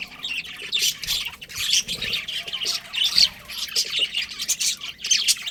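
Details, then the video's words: Budgies chirping softly to moderately, a steady mix of buzzy warbles and clear short whistled notes, repeated irregularly across the whole stretch. "Cute Budgies Chirping Sounds"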